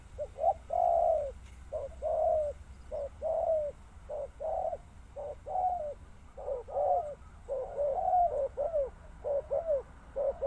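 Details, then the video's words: Spotted dove giving continuous low, mellow coos in uneven bursts, some notes stretched and slurred downward, others clipped and quick, with little silence between them over a faint low rumble. "Sound Of Spotted Dove"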